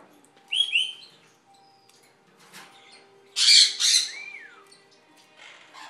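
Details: A conure at an avian vet, among medium-sized conures up for adoption, gives harsh, raspy squawks with a brief whistled note between them; a sun conure nearby is noted as very loud.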